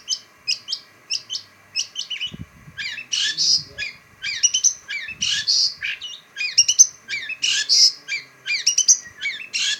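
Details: Caged shrike singing a varied chatter: sharp, scratchy notes and quick squawky phrases strung in uneven bursts, some buzzy and harsh, with a steady faint hum beneath.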